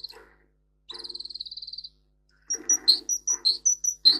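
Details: Russian singer canary training recording: a short rapid trill, a pause, then repeated bright high whistles with noisy low bursts between them.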